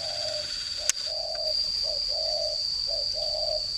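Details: Caged spotted dove used as a decoy bird in northern Vietnam; a series of soft, low coos in short phrases with brief gaps, over a steady high whine and one sharp click.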